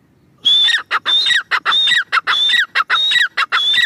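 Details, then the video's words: Partridge known locally as teetar giving rapid repeated calls after a brief quiet start: grating, ringing phrases with a high whistled note and lower harsh syllables, roughly six phrases in under four seconds. "Teetar ki boli | teetar sound | teetar voice | teetar ki awaaz"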